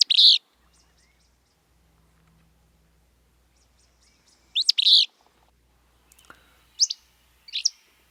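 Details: Willow Flycatcher, which breeds in western Washington, singing brisk buzzy two-note phrases, one at the start and another after four and a half seconds, followed by two fainter short high notes near the end in otherwise quiet surroundings.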